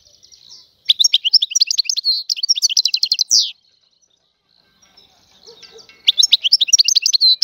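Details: Algerian European goldfinch, free, sings a dense burst of twitters and trills ending in a downward-sweeping buzz, a pause with faint sounds, then another quick twittering phrase.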